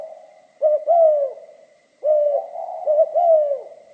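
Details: Spotted dove in the giọng pha kim style giving two cooing phrases, each a stuttered pair of short notes leading into a soft, drawn, falling coo; the background is quiet.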